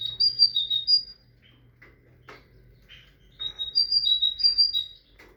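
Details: Tit singing: a bright, high whistled two-note phrase repeated rapidly for about a second, a pause with a few soft chips, then a longer run of the same alternating high and slightly lower whistles.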